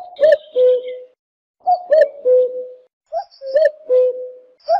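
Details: Cuckoo, called jleemah, giving steady falling two-note hoots, a short accented first note sliding into a longer lower second, three phrases spaced about 1.5 seconds apart.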